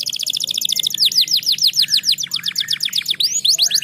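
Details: Canary song played to get lazy canaries singing: a fast buzzy trill of repeated short notes gives way to loud looping, curved whistled sweeps in quick succession, then a mixed rapid warble.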